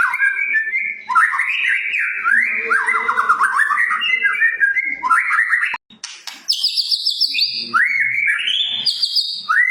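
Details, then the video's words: White-rumped shama, Medan type, singing nonstop to spur other birds: a long torrent of fast rising and falling whistled notes, a brief break, then high trilled phrases and upward-sweeping whistles. "masteran,pancingan burung murai batu"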